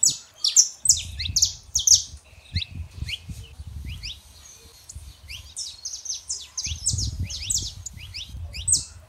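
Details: Saffron finch, male and female, song to warm up a quiet canary: bursts of high chirps and short rising notes, a quieter middle stretch, low background rumble at times.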